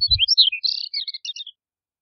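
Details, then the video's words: Chestnut-collared longspur song fragment, a hurried series of high sweet slurred notes and a brief buzzy trill, lasting about one and a half seconds after a low thump at the start. "Chestnut-collared Longspur Song! Call! Sound! - Escribano Collarejo Canto - Calcarius Ornatus"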